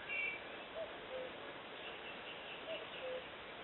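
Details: Common cuckoo heard at Eksta on Gotland: two clear two-note cuckoo calls, a higher note dropping to a lower one, set against steady broadband background hiss, with a faint high squeak at the start.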